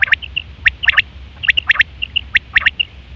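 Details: Quail calling, recorded September 2023, a call used for hunting and mating: sharp, high three-note phrases in quick succession, repeated about once a second, with short single notes between them over a low steady hum.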